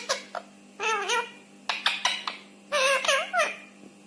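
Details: A rescued pet rose-ringed parakeet that talks in Hindi chatters in short, wavering, speech-like phrases with a nasal, high voice, in four bursts over a steady low room hum.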